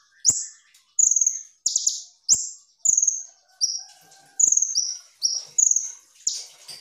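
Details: High-pitched gacor song of a purple-throated sunbird (kolibri ninja) for masteran: a steady series of short downslurred whistles and brief buzzy trills, about one phrase every half second, with faint lower notes behind.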